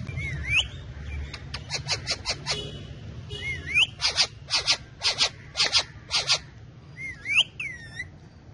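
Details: Pet parrots, four birds, perched on a bike while dancing and talking; curved rising whistled notes alternate with bursts of sharp, rasping clicks repeated in quick runs, over low background rumble.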